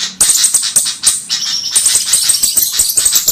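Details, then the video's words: Flowerpecker sound used as a lure for trapping birds: very high, sharp ticking notes in a rapid, slightly uneven series, with a brief pause around the first second and again near one and a half seconds. "mp3 suara 𝗣𝗜𝗞𝗔𝗧 spesialis burung 𝗞𝗘𝗠𝗔𝗗𝗘 𝗝𝗔𝗪𝗔 | 𝗖𝗔𝗕𝗘-𝗖𝗔𝗕𝗘𝗔𝗡"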